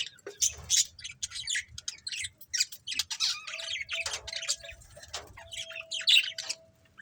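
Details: Chattering budgie colony, a steady stream of sharp, high chirps and harsh squawky notes from several birds, rapid and irregular, over a faint low background hum.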